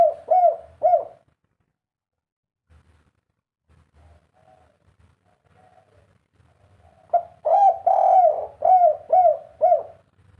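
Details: Spotted dove singing in the 'kuk 3' fighter style: three rapid low coos open the recording, several seconds of near silence follow, then a longer burst of repeated hooting coos about twice a second.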